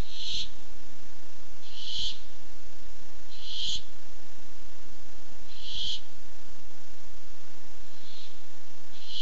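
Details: Barn owl on the lookout for food, 8-7-15, producing rasping hiss-like screeches spaced about two seconds apart, six in all, the last ones softer, over a steady low hum.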